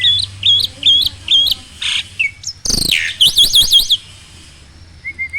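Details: Black-winged starling singing in a tutor recording for silent kept birds: repeated upward-flicking whistles, a harsh noisy burst, rapid zigzag high trills, then soft wavering notes.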